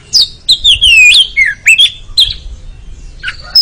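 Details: Oriental magpie-robin, known locally as kacer, singing ngeriwik in a training recording for sluggish birds: clear, slurred whistles swooping down and up, a few sharp chips, then a short high warble.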